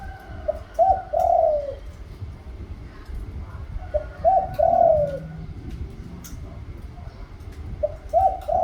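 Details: Spotted dove song delivered in three regular phrases roughly three and a half seconds apart. Each phrase has clipped lead-in notes and an extended falling coo, with occasional sharp clicks in the background.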